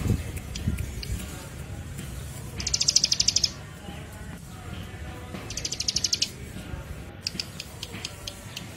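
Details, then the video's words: Ciblek, the Bar-winged Prinia, in a lure recording meant to attract birds: two clear bursts of fast, evenly pulsed high trills about three seconds apart, set against steady low background hiss and rumble. "PANCINGAN MASTERAN PIKAT SUARA CIBLEK PRENJAK KIPAS"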